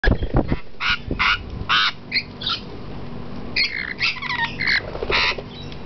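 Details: Lorikeets being fed bits of cookie on a hotel balcony in Port Stephens, Australia, give harsh, buzzy screeches in short bursts, several per second at times, over a low background rumble and a brief thump at the start.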